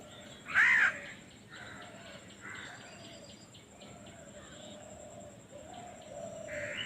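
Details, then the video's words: A hungry crow chick being fed lets out one loud, harsh, arching caw near the start, followed by faint distant bird calls and a weak final call. "Hungry baby crow feeding"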